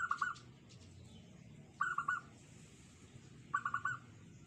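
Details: Local zebra dove, the perkutut, with a small, tight, unique voice: three cooing phrases of rapid stacked notes, each phrase about half a second, spaced roughly every 1.7 seconds, over low background rumble.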